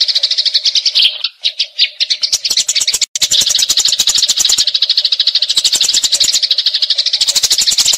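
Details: Eurasian tree sparrow fighting with long rolling chatter for magpie-robin tutoring: a few separate chirps, a brief gap, then a dense, rapid, high stream of harsh notes with crackling bursts.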